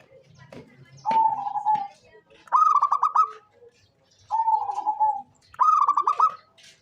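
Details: Zebra dove of local stock, kept to lure other birds, giving steady level coos alternating with rapid rattling trilled phrases, a faint clatter at the start.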